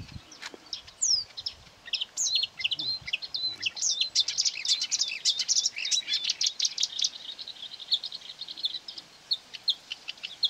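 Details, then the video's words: Agitated marsh warbler near quarry workings, 9 May 2020, singing against its own recorded voice from a mobile phone it attacked; dense run of high chirps, slurred whistles and buzzy trills poured out without pause. "Болотная камышевка"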